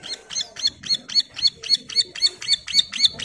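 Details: Bar-winged prinia female in breeding condition calling for a mate: a steady run of about twelve buzzy, doubled chirps, nearly four per second, evenly spaced and high-pitched.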